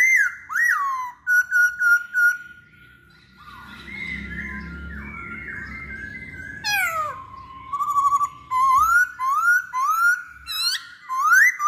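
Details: Lure song of a masked laughingthrush: loud ringing whistled phrases with short rising swoops, a quieter middle section with low rumble, then a run of clear up-slurred whistles repeated about every half second.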